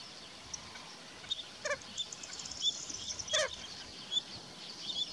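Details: Red-knobbed coot in Andalucía, Spain, giving two short, nasal, honking calls about two seconds apart, over high thin chips from small birds.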